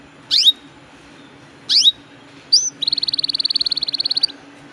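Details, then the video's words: Atlantic canary in full song, in a lure recording of long rolling song: two quick rising-then-falling sweeps, a short buzzy note, then a fast even trill of about twenty pulses lasting over a second. Quiet background. "PANCINGAN KENARI GACOR NGEROLL PANJANG"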